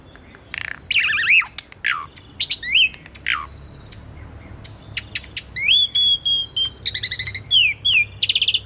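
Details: Asian pied starling singing, played as training for birds that have stopped singing: harsh rasping bursts alternating with clear rising and falling whistles, a long level whistle, then a rapid chattering series, with a steady faint hiss.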